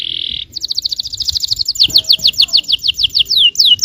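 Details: A yellow canary sings to provoke rival canaries. A steady buzzy tone opens, then a very fast trill of tiny repeated notes, followed by longer sweeping whistles, repeated quickly with slight low hum beneath.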